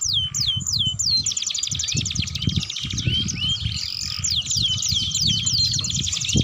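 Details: Canary in gacor and ngeriwik song styles, used as master song for young canaries learning to sing: high, fast trills and sweeping whistled notes in quick succession over low thumping background noise.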